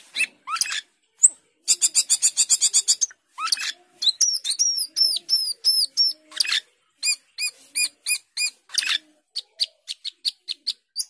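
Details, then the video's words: Asian glossy starling (jalak keling), a fruit eater that imitates all kinds of birds, singing in full voice: a rapid buzzy trill, a set of looping whistled notes, then long runs of quick sharp repeated chips. "Cucak keling gacor teler"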